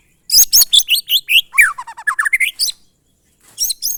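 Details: White-rumped shama in monotonous glondong song: sharp high whistled notes leading into a rapid sequence of slurred notes dipping low then climbing again, ending with a brief high phrase.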